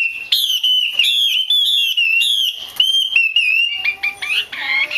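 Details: Female Chinese hwamei used to trigger male singing: sustained fast chatter of harmonic notes with slight wavering, ending in scattered chirps and a few low steady tones.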